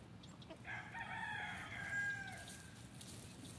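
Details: Olive Egger rooster, free ranging in a backyard, crowing once, a drawn-out level cry lasting nearly two seconds, fairly distant against steady background noise.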